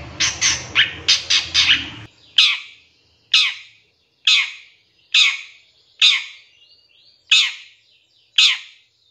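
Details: Cendet, or long-tailed shrike, on a masteran pancingan track: a burst of rapid harsh notes, then loud rasping squawks repeated roughly once a second with brief thin whistles between.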